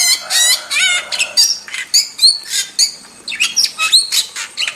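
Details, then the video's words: Intensely chattering wild starling with masteran song, opening with a rasping, noisy burst, then crisp high whistled notes and squawks given one after another in quick, uneven succession. "Masteran Jalak Super Gacor – Ultimate Wild Starling Sound Effect"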